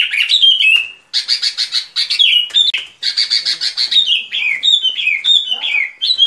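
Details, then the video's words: Sooty-headed bulbul lure song for bird trapping: loud rapid phrases of chattering notes ending in clear downslurred whistles, repeated in bursts about every second with brief silences between. "Tiếng Chim Bông Lâu Mồi Chuẩn Mp3 || Âm Thanh Đi Bẫy"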